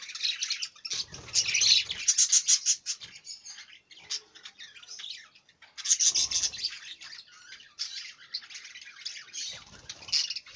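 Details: Budgerigar warble: long bouts of fast, scratchy, buzzy chatter mixed with clicks and squeaky notes, about three elements per second, broken by short quieter gaps, with a few low rustling sounds.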